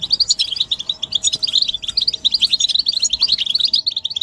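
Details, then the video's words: Collective goldfinch chattering, mating and readiness calls meant to rouse a silent male into song; rapid, bright chirping notes tumble over each other in a steady, busy stream. "بتبتة الحسون تحفيز الحسون على التغريد والهيجان علاج صمت الحسون goldfinch stimulation"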